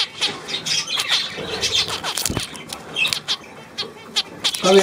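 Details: Budgerigars chattering on 9 February 2024, uneven bursts of squeaky, clicking notes with some wing noise, a knock midway, and a louder nasal call at the close.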